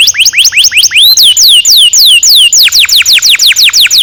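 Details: Young-canary training lure of canary long-roll song: quick rising whistles give way to slower, high, drawn-out falling notes, then a brisk series of steep descending notes.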